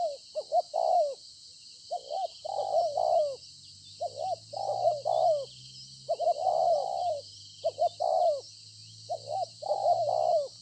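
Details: Field-caught spotted dove decoy at Konlong on 26 September 2020 cooing in a long sequence of about six phrases, stuttered notes and falling coos, with a low droning hum and steady high hiss.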